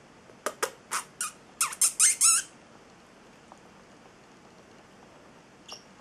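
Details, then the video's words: Eight-week-old male Celestial Parrotlet kept as a pet indoors, giving a short run of sharp broadband chirps that speed up and grow louder over about two seconds, then falls quiet apart from one faint late squeak. "Valentino, the Singing Parrotlet"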